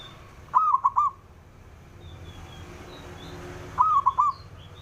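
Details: A calling male zebra dove, local stock, urging rivals to reply. Two crisp three-note coo phrases, each a quick run of gently arched mellow notes, arrive about three seconds apart over quiet background.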